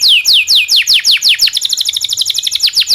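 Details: Domestic canary in full master song for training young canaries, starting with spaced downward-sliding whistles and shifting into a fast, dense chattering roll of short repeated notes.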